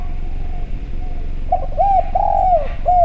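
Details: Spotted dove (derkuku Jawa), calling persistently in a clear voice, recorded as a lure to prompt other doves to call: after faint background hum, a run of short arched coos begins, ending in a longer drawn-out coo.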